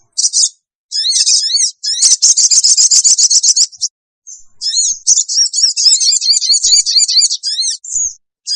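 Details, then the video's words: Shrill chatter of the small sogon bird, played to lure wild sogon: quick buzzy trills and sharp high chirps in long runs, with a short break midway. "suara pikat burung kecil sogon bikin sogon liar cepat ngumpul"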